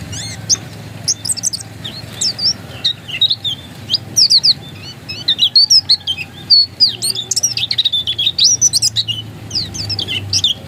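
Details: Oriental white-eye, dakun type, said to be still original, pouring out a long, busy, twittering song of high varied slurred notes and chirps, rising and falling rapidly, over a faint low hum.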